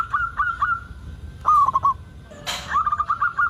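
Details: Local zebra dove in vigorous song, a lure to make other zebra doves sing: three soft coos, a rapid descending trill, a sudden noise burst, then a row of quick, even cooing notes.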